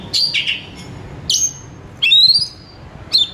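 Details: Oriental magpie-robin (kacer) song for stimulating another kacer to sing: a few rich whistled notes, then a high thin note and a clear rising whistle, with brief pauses between.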